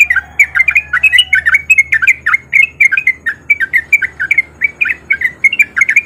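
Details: Sooty-headed bulbul male in lively song, used as a lure for other bulbuls: a long, fast, unbroken chain of loud slurred chirps, about four a second, with a faint low hum behind.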